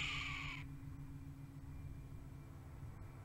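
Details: A Red-tailed Hawk, caught on a trail camera, gives a single harsh, raspy shriek lasting about half a second, followed by a steady low rumble of wind or background noise.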